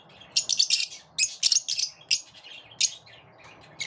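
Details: Grating, high-pitched chatter from lovebirds living in a group and driving one another off, in short clustered bursts separated by brief pauses.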